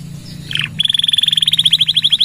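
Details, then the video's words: Canary, recorded as a lure and tutor song for other birds: a brief slurred note, then a fast even buzzy trill repeated about ten times per second. "Suara Kenari Gacor | Full Nembak Panjang!!"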